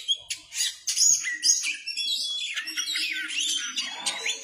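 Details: Kacer (Oriental magpie-robin) singing vigorously and continuously, tail spread: a rapid, varied run of high whistles, chirps and sweeping squeaky notes, changing phrase after phrase, with a faint low murmur underneath.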